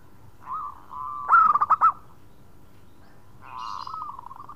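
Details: Local zebra dove calling to companions: one short burst of rapid stuttering notes between softer drawn-out cooing phrases, with a faint higher sound near the end.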